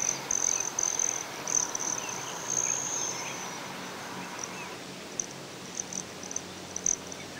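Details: Broad-tailed hummingbird at Great Sand Dunes, Colorado: thin, very high metallic buzzing trills in short bursts, a long sustained run near the start, then scattered brief buzzes over a steady soft outdoor hiss.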